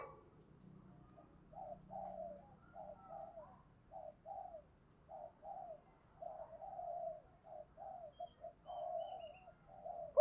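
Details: Spotted dove in a continuous fighting coo, field-style voice, used as a decoy for wild doves: a long run of soft, low, rounded coo notes repeated steadily about twice a second, fairly faint, with a low hum underneath.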